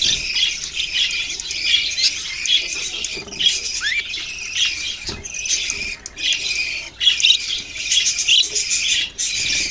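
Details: Budgies from a bird-keeping flock, November 6, 2023, calling in rough, buzzy squawks and chirps that run in dense blocks separated by brief pauses, with one rising whistled note early on.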